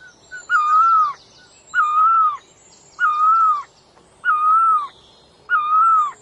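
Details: Five steady, even hoots from a bird called puj daum or nok tong lo, spaced roughly 1.2 seconds apart, with faint high chirps in the background.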